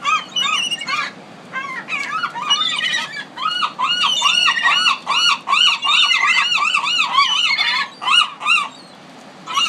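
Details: City gulls on the Pacific calling in a fast, uneven series of ringing, down-curved yelps, several birds overlapping, with brief pauses between bursts.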